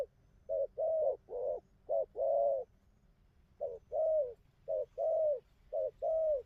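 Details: Spotted dove with a modest neck collar of spots, known for a steady outer song and good coo: deep rounded coos in short-long groups, a clear pause midway, then the pattern resumes at the same even pace.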